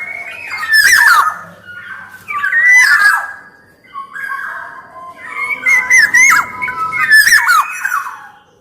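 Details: Black-naped oriole (kepodang emas), in active full song: fluty whistled phrases gliding and dipping, broken by harsh nasal squawks, in three bursts over about eight seconds.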